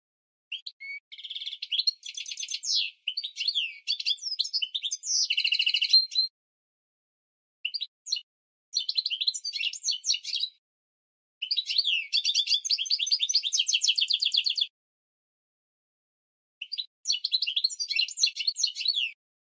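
A goldfinch mule sings bright, rapid twittering phrases with tinkling trills and buzzy notes, broken by short pauses.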